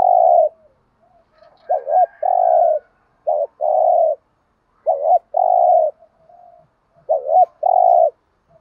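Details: Lure spotted dove bought in Dak Lak, cooing to provoke rival males: low mellow phrases of a quick double coo then a longer drawn-out note, repeated with short gaps.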